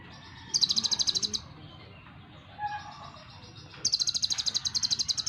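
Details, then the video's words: Kolibri ninja (purple-throated sunbird), brown-breasted type, singing energetically with varied bursts: two rapid, very high buzzy trills of repeated notes about a second long each, separated by quieter chatter and a faint low background. "KONIN Kolibri Ninja DACOK Dada Coklat GACOR beragam tembakan || CHIRPING SOUND ||"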